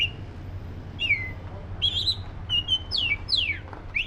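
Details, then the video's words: Oriental magpie-robin of the black-breasted form giving bright whistled song phrases, some falling steeply, others short and upslurred, spaced about half a second apart against a constant low hum. "SUARA BURUNG KACER (DADA HITAM)"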